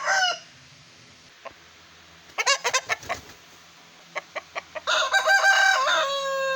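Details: Aseel roosters: a crow fading out at the start, scattered sharp clucks and taps in the middle, then a long loud crow building near the end.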